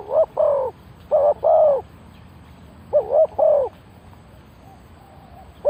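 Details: Spotted dove decoy calling to lure wild birds: low, mellow cooing phrases, each of two or three hollow notes, repeated in three bursts with quiet gaps between.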